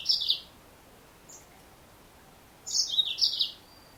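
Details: High, short chirps come from a female yellow-fronted canary. One brief burst opens the section, then a faint note follows. About two seconds later comes a double chirped phrase of two falling parts, all over low hiss.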